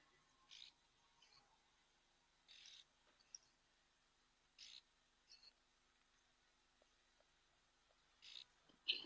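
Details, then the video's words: Oxpeckers at an African waterhole, grooming ticks and parasites off an animal, give short, harsh, hissing rasps in brief bursts, spaced irregularly every one to two seconds, over a quiet background. "You can hear the oxpeckers calling in the background."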